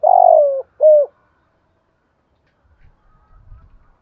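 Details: Spotted dove of a native-voiced style, cooing to provoke wild doves in Vietnam. Two low, mellow coo notes in quick succession, the first longer and gently falling, followed by silence and faint low rustling.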